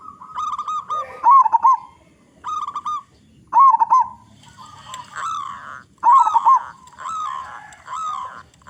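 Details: Local perkutut, a zebra dove with a big voice, singing as a lure for other zebra doves; rapid rolling coos repeat in close succession, with overlapping cooing and a faint low murmur partway through.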